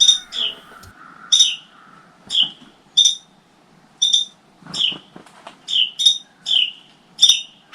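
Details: Carolina wren adults calling alarms from a nest built inside a motorcycle helmet, during crow activity while the chicks stay hidden deep in the nest; harsh, buzzy, high notes repeated roughly every half second to second, with some rustling.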